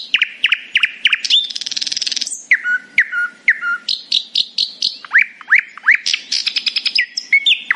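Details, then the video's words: A common nightingale singing in the morning: a rich, varied song of quick repeated downslurred notes, a dry buzzy rattle, low fluting whistles, then rapid chattering phrases. "A happy nightingale singing in the morning"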